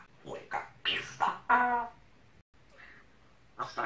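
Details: Pet talking parrot, indoors, swearing at its owner in Russian: a run of short, harsh, speech-like syllables in quick bursts, then a pause and a final gravelly phrase.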